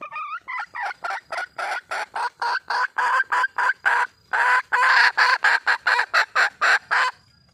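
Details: Red junglefowl calling for a mate: a rapid, harsh series of clucking pulses, about four per second, continuing steadily for seven seconds with only brief gaps.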